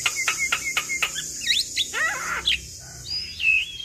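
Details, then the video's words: Javan myna song with a row of sharp clicks, twisting chatter and a high wavering whistle, over a constant high insect-like hum. "Jalak Kebo Gacor Full Isian Sekali Putar Semua Jalak Bakal Nyaut"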